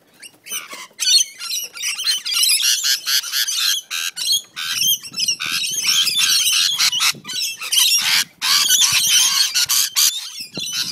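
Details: Rainbow lorikeets fighting in a backyard on the Central Coast, NSW, squabble in a near-continuous stream of harsh, high, screechy chattering and squawks with brief gaps.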